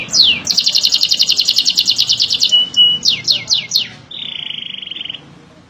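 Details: Beujeg bird with canary-like song: a downslur, a long buzzy high trill, a few sharp descending notes, then a steady buzzing trill fading out.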